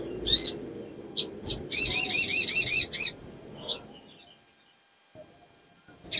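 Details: Female pin-striped tit-babbler in breeding condition, her calls meant to attract males: scattered single high chips, then a quick burst of about seven bright, looping notes, followed by a few soft chips and near silence.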